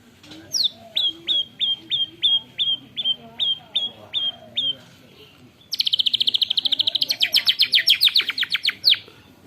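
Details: Murai batu (white-rumped shama) tutored on canary song: a steady series of about ten sharp downslurred whistles, then a dense fast canary-like roll of rapid repeated notes, recorded by phone.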